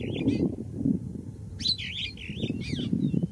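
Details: Yellow oxpecker calls: short, buzzy, wavering notes, one brief call followed by a quick series of rippling, undulating sounds, heard over heavy low rumbling noise.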